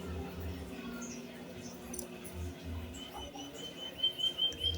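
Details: A White-headed Munia, recorded as a lure for training other birds, gives a thin, high, drawn-out whistle that climbs slightly, over a few faint soft chirps, a low mechanical hum and pulsing background noise.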